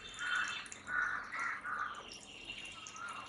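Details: An Oriental magpie-robin (doyel), Bangladesh's national bird, gives a run of short, mid-pitched whistled notes about every half second, fading into softer notes.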